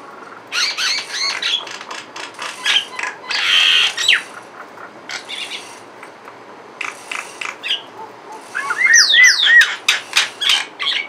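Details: Mynas, a couple perched on a window grill, make assorted calls: loud bursts of grating chatter and squawks separated by pauses, ending with a string of clear rising and falling whistles and clicks.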